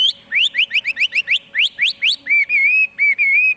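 A Chinese hwamei sings a quick run of about a dozen sharp, upslurred whistles, then shifts to long, wavering, warbled whistled phrases.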